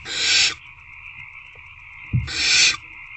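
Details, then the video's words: Evening begging from hungry owlets inside an owl box as they try again to eat a rodent: a loud drawn-out hiss, a pause with a low bump, then a second harsh hiss. "Hungry Owlets Try Again to Eat The Rodent."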